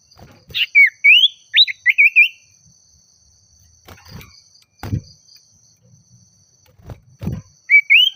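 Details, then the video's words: Common iora calling a rival with a phrase of sharp rising and looping whistles, then several dull knocks, and a brief rising whistle at the end over a constant high tone. "Suara Burung Sirtu/Cipoh Gacor Memanggil Lawan Bikin Emosi"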